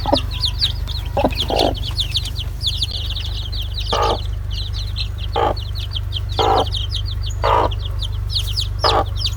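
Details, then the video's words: Young chickens cheep in rapid, high, downward-sliding notes. Irregular louder clucks are scattered through the passage over a steady low hum. "PINTINHO PIANDO, Som de Pintinho, SOM DE GALINHA"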